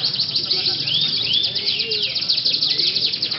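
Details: Atlantic canary singing in a canary singing contest judged by a stick-point system at a night event, a busy stream of rapid high trills and sweeping whistled notes, with faint background voices.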